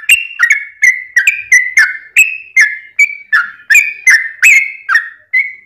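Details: Yellow-vented bulbul's long song, used to provoke other bulbuls to answer: a steady series of about fourteen liquid, bubbling whistled notes, each dipping or rising, delivered rapidly and evenly.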